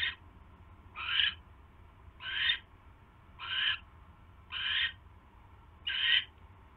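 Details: Barn owl at the nest during a mouse delivery, evening of 27 January 2016; six loud breathy rasping screeches, about one every second, standing out clearly above quiet background hum.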